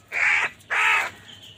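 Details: Crows calling while fighting over food: two loud, harsh, buzzy caws, each lasting about a third of a second, separated by a short pause.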